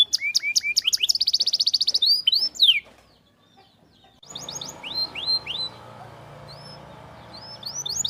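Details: Canary song offered as a remedy for canaries that stop or are lazy to sing: fast repeated high chips and a buzzy trill, a pause, then sweeping whistled notes over a low background hum.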